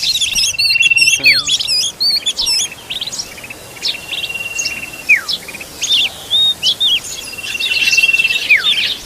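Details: Oriental magpie-robin feeding its young: a buzzy burst opens, then sparse whistles, sharp down-slurred notes and a long steady thin tone held several times, with quiet gaps between.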